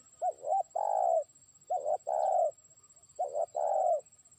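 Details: Trained decoy spotted dove calling a distant rival: three rapid phrases, each a pair of short curling notes leading into a longer mellow coo, spaced under two seconds apart.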